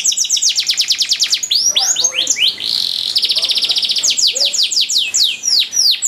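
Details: Canary training song with long duration and rich trills: fast rolls of high repeated notes alternate with sweeping, swooping whistles and buzzy passages, delivered continuously without pause.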